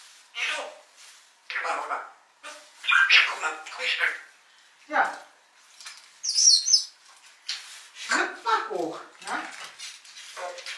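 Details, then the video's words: Pet grey parrot, 11 years old as of December 2023, one of four talking grey parrots in a home, chatting with its owners: a run of short speech-like chirps and squeaky syllables, one sharp high squeal midway, with a woman's voice nearby. "Lilo am quatschen"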